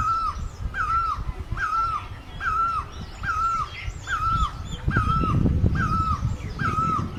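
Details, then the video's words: Asian great barbet (Thai นกตั้งล้อ) calling in a regular rhythm, each note a clear, hooting whistle that rises then drops, a little over one per second, over low rumbling background noise. "Great Barbet, นกตั้งล้อ, Pehˇ oˍ, Piˇ oˍ loeˇ, Pi luˇ ma"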